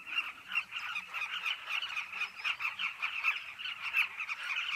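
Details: Carmine bee-eater cliff colony: dense overlapping rolling calls from numerous birds, pulsing slightly in loudness, with a faint low hum beneath.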